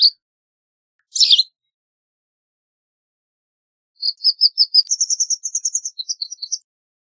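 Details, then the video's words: White wagtail, Motacilla alba, with a couple of isolated high chirps, then after a pause a fast series of clipped notes that climbs in pitch and breaks into a jumbled twitter. "White Wagtail Song! White Wagtail Call! White Wagtail Sound- Lavandera Blanca Canto - Motacilla Alba"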